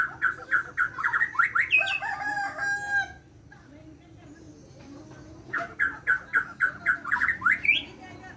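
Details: White-rumped shama from Borneo singing in the morning: bursts of rapid, repeated whistled and chattering notes, about three seconds each, separated by a quiet pause, over a low background hum.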